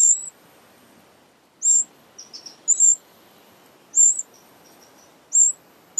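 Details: Eurasian wrens at their big nest sheltered under a pavilion; sparse, very high, piercing squeaks come singly or in pairs with pauses of a second or more, plus a few faint thin notes between.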